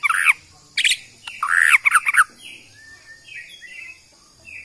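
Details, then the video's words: White-rumped shama from Borneo's Kalimantan forest: loud harsh chattering bursts, then softer drawn-out whistles fading toward the end. "Bikin Murai lain EMOSI!! ~ AKSI murai batu BORNEO ori Hutan KALIMANTAN"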